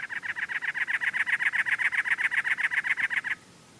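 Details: Cactus Wren, a very large chunky wren, at Anza-Borrego State Park: a harsh, rasping chatter of about twenty chugging notes, roughly six per second, steady in pitch, then stops abruptly.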